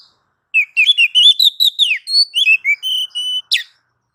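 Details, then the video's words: Oriental magpie-robin tutor song, meant to prompt other birds to respond: a rapid run of sweet whistled notes rising then falling sharply, then steadier held whistles and a final sharp downward note. "Dijamin langsung nyaut kalau dengar suara masteran Kacer satu ini"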